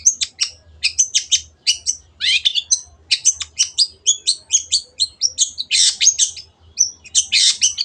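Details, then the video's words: Long-tailed shrike singing a fast, continuous medley of high chips, buzzy trills and brief whistles, with a few harsh rasping bursts mixed in. A low hum runs throughout. "MASTERAN BURUNG CENDET GACOR"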